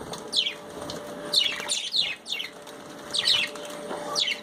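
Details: Bathing budgerigars call in brief falling chirps, about five in four seconds, against a background of splashing water and a faint steady hum.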